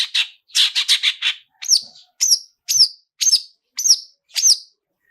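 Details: Long-tailed shrike song with 'toet toet' phrases and rich fill-ins, meant to provoke singing: a quick buzzy rattle opens, then sharp downslurred whistled notes repeat about every half second.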